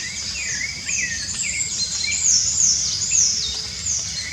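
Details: Wild rufous-bellied thrush singing freely in nature. It gives short whistled, warbling phrases that slide up and down. Louder, very high chirps and trills from another bird overlap, over a steady high-pitched insect drone.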